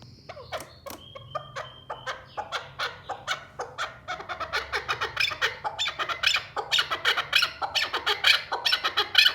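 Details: Male Sulaymani chukar partridge giving a rhythmic series of harsh clucking notes that build in speed and loudness, with a steady low hum underneath.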